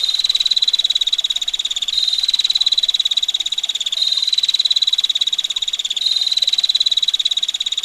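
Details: Extended roll of quick, coarse ticks from a female bar-winged prinia, unbroken for eight seconds and stepping slightly in pitch every two seconds, set against a quiet sound of flowing water.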